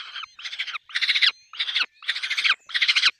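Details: Peregrine falcon at a nest with chicks, giving six loud, rough, chattering bursts in quick succession, each about a third of a second long.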